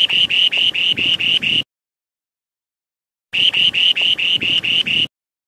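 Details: Spoon-billed sandpiper (Calidris pygmaea), song.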